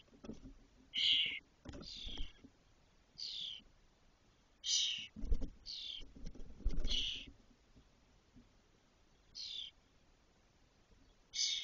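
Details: Six spotless starling nestlings, fully feathered, about 22 days old, in a cork oak nest in Doñana, 2023; frequent harsh buzzy bursts, sometimes two in quick succession, mixed with low knocks and scuffling.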